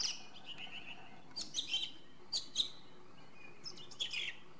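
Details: Song thrush song as short bright phrases of high chirps, each given twice or three times over in paired bursts, set against a soft hissing background.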